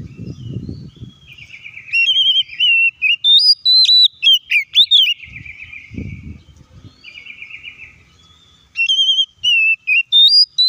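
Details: Oriental magpie-robin song meant to provoke other magpie-robins to sing: varied loud whistles, some trilled and buzzy, others with sharp slurs and sudden jumps, delivered in bursts with short pauses and faint low thumps.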